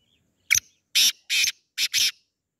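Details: Black francolin, called sindhi, kala or desi teetar: one loud phrase of five harsh, buzzy notes in quick succession, the last two closely paired, with no other sounds.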